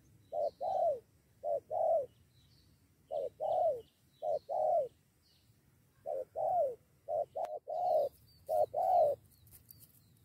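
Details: Spotted doves responding to a lure, ready to fight the decoy. Short groups of two or three mellow coos come with irregular silences between them, and faint bird twitters sound in the distance.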